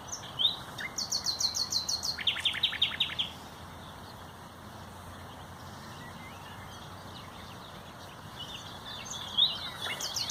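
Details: Common nightingale singing on 30 April 2021, a loud, very melodious and long-lasting songster of dense undergrowth: rapid repeated high notes, then a run of about ten evenly spaced downward strokes, a pause, and a brief phrase returning near the end.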